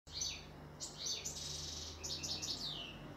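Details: European goldfinch singing a fast, high twittering run of slurred and tinkling notes, with a steady low hum underneath.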